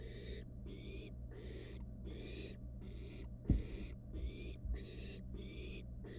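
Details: Barn owl nestling, wild, inside a monitored nest box while playing with its dinner; a steady series of about nine short, raspy hissing bursts with brief gaps, one knock midway, and faint hum beneath.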